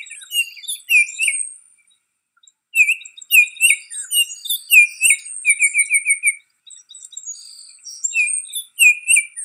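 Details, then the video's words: Baltimore oriole at Riverwood: clear whistled slurred notes mixed with a quick series of falling chattering notes, interspersed with high thin chirps, with a brief pause midway. "Baltimore Oriole Call"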